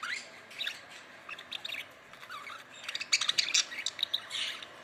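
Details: Budgerigars chattering together, a busy mix of short chirps and squeaky twitters rising in density toward the end, over steady background hiss.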